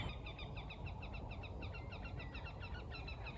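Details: Horned grebe calling at dawn on a still spring morning over a misty woodland pond after rain: a faint, steady run of quick, thin, repeated notes.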